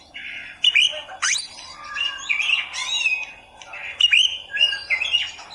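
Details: Oriental magpie-robin tutor song for beginners: a mix of scratchy warbled phrases and sharp whistled upsweeps in irregular bursts, slightly muffled and noisy.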